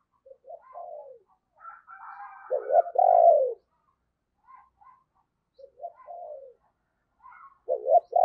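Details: Decoy spotted dove cooing to call wild birds: gentle short coos building to a loud husky coo around the middle, then quieter phrases and a strong double note at the end.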